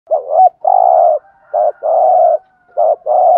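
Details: Caged spotted dove used as a decoy to lure wild doves, giving the "thúc gù" cooing style: low, mellow coos in a quick run of short and longer notes with brief gaps, no other sounds.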